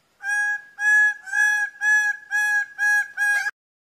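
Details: Greater bird-of-paradise, Paradisaea apoda, giving a series of seven loud, nasal, strongly harmonic notes, evenly spaced about every half second, each held and level in pitch, in a quiet setting.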